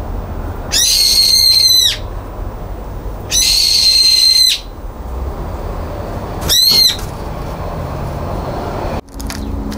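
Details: A brown-eared bulbul on a balcony, 9 February 2022, screams after being banned from the feeder: three loud, harsh, grating screeches, each up to about a second long and a few seconds apart, over a steady background hiss.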